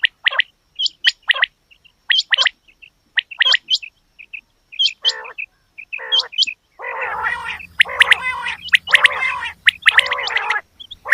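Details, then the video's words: Female quail calling: scattered sharp chirps and short buzzy notes, then a dense burst of raspy, overlapping chatter with a low hum. "Batair Ki Awaz Quail Sounds bedana ovozi Bedana makiyon bedana sayrashi bedana sayroqi"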